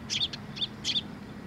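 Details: Sparrows flying in to a post to be fed at a Tenmangu shrine on 27 August 2023; a few short bright chirps in three quick bursts over a low steady hum.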